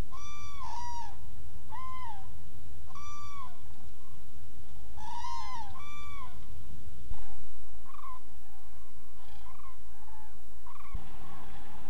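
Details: In November, migrating common cranes, including young on their first journey, stop in a Hula Valley almond orchard in Israel to glean fallen almonds, giving loud rolling trumpet calls about a second apart, with fainter distant calls over wind.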